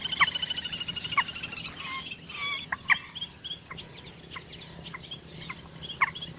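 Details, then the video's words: Common moorhen sounds: an opening fast pulsed chatter, then a string of sharp kek-like clucks and short harsh notes at irregular intervals, with background hum throughout. "Common Moorhen birds sound || Jal morgi ki awaz"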